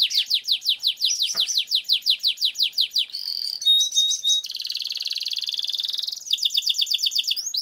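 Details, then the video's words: Canary long-roll song used to train other canaries: about twenty rhythmic downward-sweeping whistles, brief varied notes, a long steady high trill, then rapid repeated chirps. "Suara Burung Kenari Gacor Ngerol Panjang Untuk Pancingan Kenari Agar Jadi Juara"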